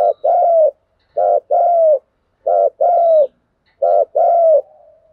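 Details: A spotted dove, apparently a decoy bird, gives soft, low two-part coos: a short note, then a longer mellow one. The phrase repeats about every 1.3 seconds in a quiet setting.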